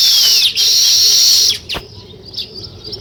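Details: Weaver birds building a nest: one gives a high, buzzy sizzling chatter for about a second and a half, then breaks into scattered soft chips.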